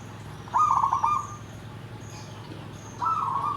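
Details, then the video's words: Perkutut (zebra dove) song of the nggandem gedhe garing type: a quick stuttering trill leading into a held, even coo, followed after a pause by another coo, with a constant low background drone. "SUARA PERKUTUT GENDOWO SABDO || NGGANDEM GEDHE GARING"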